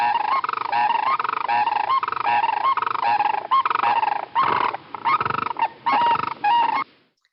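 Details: Sandhill Crane pair, Wisconsin, giving their unison call to establish pair bonds, most frequent in breeding season: loud, rolling, rattling bugles overlapping in a rapid, pulsing duet for about seven seconds.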